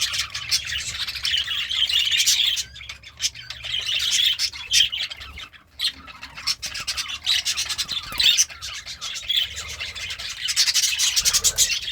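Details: Happy budgerigar eating greens warbles in long scratchy, chattering phrases with squeaky notes, pausing briefly midway, amid rustling clicks.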